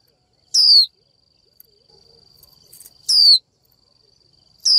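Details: 'Chíu' call of a female Japanese white-eye summoning a male and provoking males to sing. Three bright, high whistled notes falling in pitch, roughly two and a half seconds apart, over a faint steady tone.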